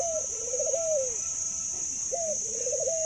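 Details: Two laughing coos from a zebra dove known for a long call, each a quick high note followed by a bubbling trill and a lengthy falling glide, under a persistent high electronic tone.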